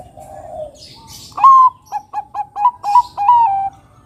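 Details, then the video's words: Bangkok-type zebra dove singing actively as a decoy for other doves: a bright rising coo, then five quick clipped notes at a lively pace, closing with a long sliding note. A low hum and brief rustle come before it. "Pancingan suara Burung Perkutut Bangkok Gacor Kutut Bangkok Manggung mancing Kutut lainnya"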